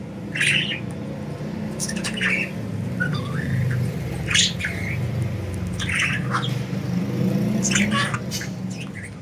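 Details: Several budgerigars enjoying freedom call in scattered squawky chirps and short warbles every second or two, with a persistent low background drone.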